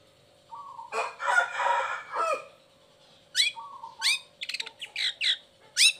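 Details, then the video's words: Long-tailed shrike song used as a lure to make lazy or moulting shrikes sing: harsh, scratchy bursts give way to sharp descending whistled sweeps and short chattering notes, with level mid-pitched whistled phrases and a steady low electrical hum. "Cendet Gacor Buka Krodong Pancingan Khusus Buat Cendet Loyo Malas Atau Lagi Mabung Agar tetap Bunyi"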